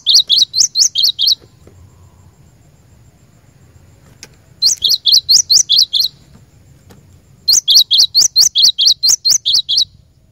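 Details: Cinereous tit song meant for training caged birds to sing. Three bouts of quick, high, repeated two-part notes are separated by short silences, with a faint low hum and an occasional soft click in the background.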